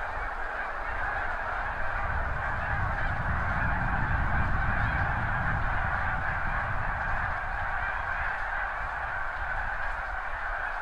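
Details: Snow geese by the thousands rising together from farmland beside the seaway at high tide in spring; continuous clamour of rapid overlapping honks, swelling slightly midway, over a strong low roar, likely wingbeats or wind.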